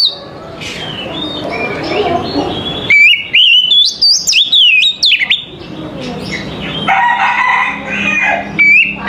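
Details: Oriental magpie-robin song used as a morning training recording: after a faint start, loud whistled phrases from about three seconds with sliding, rising and falling notes and sharp clicks, then softer varied warbling with mid-range notes.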